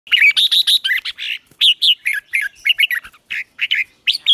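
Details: Red-whiskered bulbul morning song used to train birds and stir up newly caught ones, Vietnam: bright, fast whistled phrases of rising and falling notes, rapidly repeated with short gaps, clear and loud with no other sounds.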